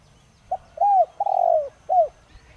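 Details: Spotted dove, a caged decoy bird with a 'đồng rặc' voice style used to provoke wild doves to call: four clear mellow coos, a short note followed by two longer arched notes and a final falling coo, with faint background chirps.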